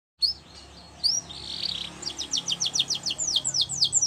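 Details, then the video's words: Canary said to be in the wild, singing: a few separate high chirps, a brief warbled phrase, then from two seconds a quick series of sharp downslurred high notes repeated several times a second. "Melodies Canary In The Wild"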